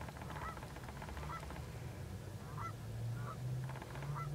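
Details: At dusk, Canada geese lift off and give quick, repeated nasal honks, several per second at times, against a constant deep rumble of a car from which the recording was made.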